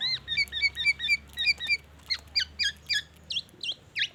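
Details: A black-naped oriole sings imitated white-rumped shama material: a regular series of bright, upturned two-part chirps, then sharper notes repeated about three times a second, ending in downward-hooked calls.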